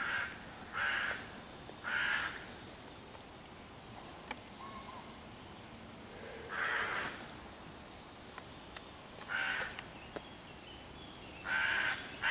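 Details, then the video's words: Hooded crow harassing five young raccoons in a tree near their den hole, 11 June 2023, cawing loudly to drive the predators off and summon other crows; harsh caws come in spaced pairs and singles, with faint clicks between. "wrona która ich prześladuje w sąsiedztwie"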